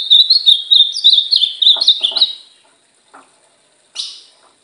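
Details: A female-plumaged (brown) ultramarine grosbeak in training sings a fast, sweet warbled phrase of rising and falling whistles for about two seconds, then a brief sharp note, with faint clicks.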